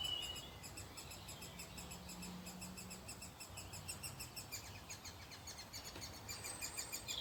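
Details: Begging from great spotted woodpecker nestlings inside a hole in an old ash tree, waiting for a parent to bring food. A soft, continuous run of high, rapidly pulsed notes, with a low engine-like hum beneath and a distant whistle.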